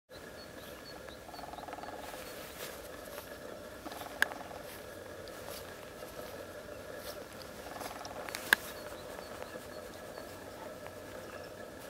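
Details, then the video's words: A female lesser spotted woodpecker drums in faint, rapid rattling rolls, about two seconds long and roughly six seconds apart, over a steady background hiss. "Lille Flagspætte, hunnens trommen"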